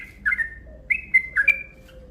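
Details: Yellow-vented bulbul lure call, a lively series of bubbly, slurred whistled notes, some dipping and rising, ending in a long thin fading whistle.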